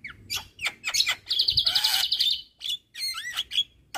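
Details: Javan myna tutor song for reluctant caged singers: rapid scratchy notes leading into a long fast buzzy trill, then a brief gap and looping whistled notes.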